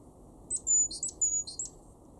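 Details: A great tit in a garden in Weener, East Frisia, northwest Germany, in March 2023, gives very high, thin notes: three sharp chips, each followed by a drawn-out whistle, about half a second apart, over a faint low hum.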